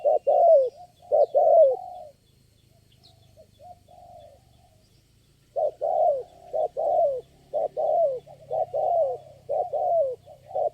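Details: Spotted dove responding to lure birds, one wild bird calling at the site: bursts of paired rolling coos, a silent stretch of about three seconds, then a long run of repeated coo phrases over faint low hum.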